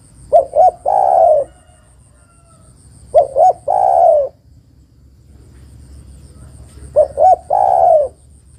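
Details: ['Calling to the male, a female spotted dove gives three phrases about three seconds apart, each with two short hollow notes then a long burry coo. Her call serves as a lure for lazy-singing males.']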